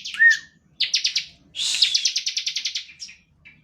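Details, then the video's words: Bar-winged prinia singing, used to stir other birds into song: a short slurred whistle, then a few quick chips and a longer, rapid trill of sharp, high notes. "Ciblek gacor ngebren standar - Pancingan untuk ciblek || CHIRPING SOUND ||"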